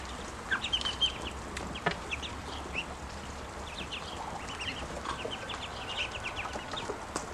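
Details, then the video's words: Hungry, grown ducklings give scattered high, thin peeps in irregular bursts, with a low steady hum underneath. "Ducklings have grown and are making more sounds, especially when hungry"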